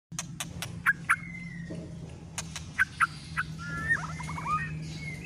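A white-rumped shama sings sharp clicking notes, then clear whistles and a rising, varied warble, over a steady low hum.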